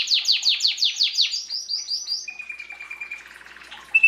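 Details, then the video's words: A canary sings a run of about eight quick descending swept notes, then a thin steady whistle and a softer fast trill before a bright final note. "Canary singing"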